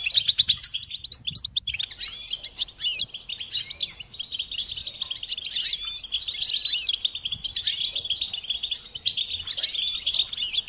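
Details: ['European goldfinch singing a long, unbroken twittering song of fast, liquid chirps and rattling trills, steady in pace from start to finish.']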